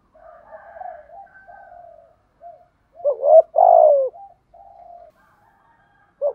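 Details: Spotted dove call for decoy training: soft, drawn-out low murmuring notes, then a loud rising note and a long falling hoarse coo, more faint notes, and the start of another phrase.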